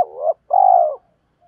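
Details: Decoy spotted dove luring and challenging wild birds: a rising rolling coo followed after a short pause by a long, evenly vibrating low coo.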